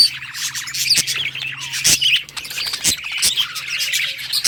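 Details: Happy singing budgie, also called parakeet, pouring out fast twittering chirps and scratchy high notes with sudden clicks, over a faint low hum.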